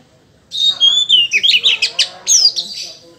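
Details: Silence, then an Oriental magpie-robin bursts into high drawn-out whistles and a quick jumble of chattering notes, ending with a bright descending whistle.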